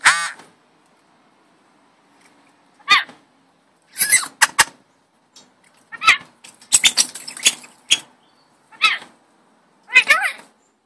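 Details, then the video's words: Rainbow lorikeet talking: a series of short, harsh, scratchy bursts and squawks, some with rising and falling tones, spaced irregularly with quiet gaps over about eleven seconds. "Rainbow lorikeet talking"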